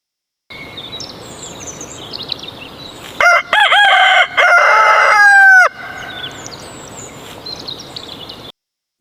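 A rooster gives one loud, harsh crow of several broken notes over about two seconds, ending in a falling drawl, with small birds chirping faintly behind.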